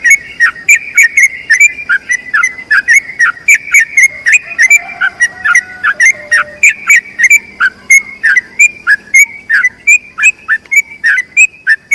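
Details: Yellow-vented bulbul long trilled song as tutor material: a dense, continuous stream of quick whistled notes with bright high clicks; a soft, lower sustained tone briefly appears in the middle.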